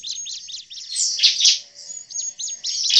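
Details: Bar-winged prinia (Prinia familiaris) in agitated, excited alarm-like calling, used as a lure in the forest: rapid, high, buzzy chirps in quick bursts, several notes each second, with a few sharp clicks.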